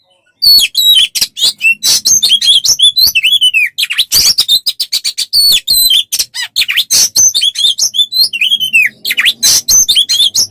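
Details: Tutor song of an Oriental magpie-robin for training other songbirds, a dense rapid stream of sharp chirps, high buzzy bursts and slurred whistles delivered almost without pause.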